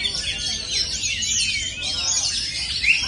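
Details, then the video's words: A kept Oriental magpie-robin (kacer) sings a continuous, rich stream of varied whistles, slurs and rapid trills in a high register, with faint human voices beneath. "kacer mewah full durasi"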